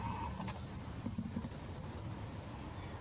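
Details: Common swift calling beneath a roof gutter, Drostlaan, 31 May 2020; a series of four thin, piercing screams, each roughly half a second long, over a quiet low rumble.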